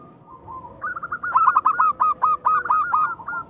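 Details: Zebra dove of a local Indonesian strain in full, steady song, used as a lure to stir lazy or rival doves into singing: a brief soft lead-in coo, then a quick series of about ten short, clipped cooing notes, evenly spaced and hollow-toned.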